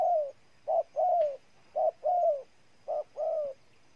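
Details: Ninh Thuận spotted dove, Vietnam, repeating its coo: a brief note followed by a longer, slightly falling, mellow coo, about three to four phrases with short pauses and a faint click once.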